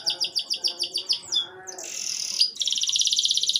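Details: Short canary song phrase played to encourage young canaries to sing: quick repeated chips, then a buzzy rasping stretch and a dense rapid trill.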